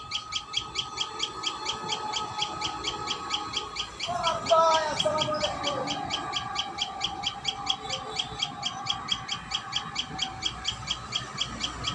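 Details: High, clipped notes from a Common tailorbird at its nest repeat steadily about twice per second, while a lower, warbling call from another bird briefly overlaps near the middle.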